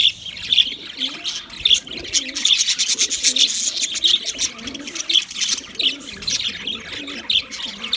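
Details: White budgerigars chattering together: dense, continuous high twittering and warbling with quick chirps and squeaks overlapping throughout, and a low wavering cooing murmur underneath.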